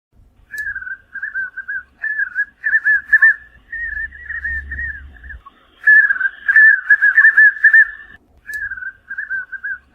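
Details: Spot-backed Puffbird in the Brazilian Cerrado: mid-pitched, slightly wavering whistled notes in quick bursty series, building to louder overlapping phrases, then quieter again. Faint low rumble partway through.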